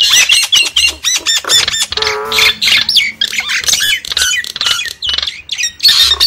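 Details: Javan myna lure call used to attract wild birds: dense, noisy run of harsh squawks and bright whistled notes, with a brief harmonic nasal chatter near the middle and short rough bursts throughout.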